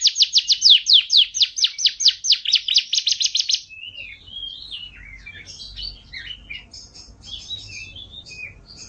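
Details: Canary song used as a master for training caged songbirds: a fast trill of sharp repeated notes lasting over three seconds, then softer varied warbling phrases that rise and fall, over a faint low hum.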